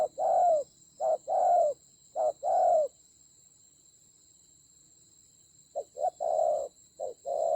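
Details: Spotted dove serving as a decoy in a fierce fight, Central Highlands of Vietnam, 19 October 2020. Three quick short-long coo pairs are followed by a few seconds of quiet, then more coos resume. A steady high whine underlies everything.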